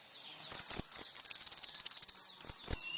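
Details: Sunbird song recorded as a training model for caged birds: very high thin notes in short bursts, then a fast, even, buzzy trill lasting about a second, followed by more short high notes.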